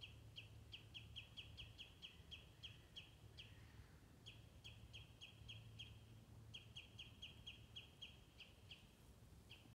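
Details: Common redshank with chicks at Stornäset, Alnö, Sweden, on 13 July 2019, loudly alarming at a Eurasian sparrowhawk that landed nearby, gives a rapid series of sharp, piping notes, about five a second with one brief pause, over wind rumble.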